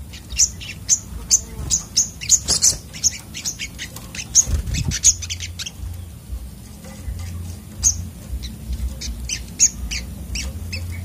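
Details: Sunbird in an agitated mood, recorded for bird therapy: rapid, sharp, high chirps and squeaky notes in an uneven stream with brief pauses, over a steady low hum.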